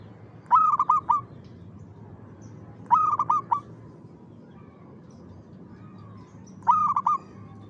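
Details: Zebra dove (perkutut) singing around 5 pm in the afternoon; three loud cooing phrases spaced two to four seconds apart, each a quick burst of rolling notes ending in a held coo, over faint hum.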